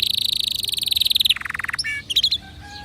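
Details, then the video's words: Canary song for encouraging other birds to sing: a fast, even high trill of about forty notes, dropping into a lower rolling trill, then a few short chirps. "تغريد كناري يحفز طيورك على الغناء"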